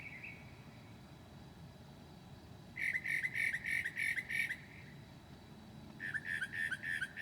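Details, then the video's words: Northern mockingbird singing at 2 a.m. on 9 July 2008, mimicking other birds; two bursts of harsh, buzzy, rasping notes in rapid series, about eight then five, over a faint steady low hum. "HIGH QUALITY AUDIO of a Mocking bird at 2:00 A.M."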